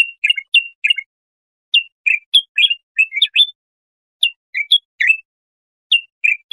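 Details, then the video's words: Bulbul song for tutoring young goldfinches: short clusters of bright, up-and-down whistled notes separated by clear gaps of about a second. "تغريد طائر البلبل"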